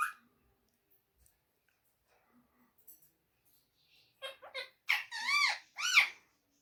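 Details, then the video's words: Rose-ringed parakeet kept as a talking pet, mimicking Urdu and Hindi: near-silence, then a rapid run of four or five wavering, nasal, speech-like syllables toward the end, the last ones loudest. "Bolane wala Tota amazing talking parrot Urdu and Hindi"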